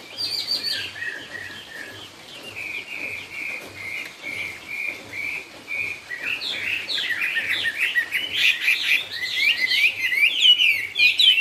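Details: Chinese hwamei in the 'cao cầu' song style: a steady series of repeated level whistled notes grows into a dense, loud, varied warble of fast twisting phrases.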